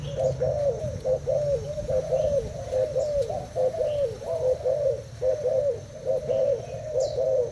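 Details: Caged Thai-type spotted dove, two days in the cage, duelling a decoy bird in a cooing contest: dense, low mellow coos repeated roughly once a second, overlapping phrases running almost continuously, faint distant high notes behind.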